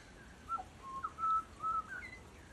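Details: Butcherbird singing a run of pure fluting whistles. Held level notes alternate with short slurred ones in a mellow, melodic phrase over faint background hiss.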